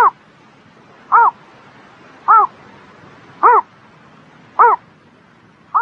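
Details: Spring morning bird voice: brief, bowed, tonal notes with layered overtones, spaced evenly roughly every 1.2 seconds over a low, soft background.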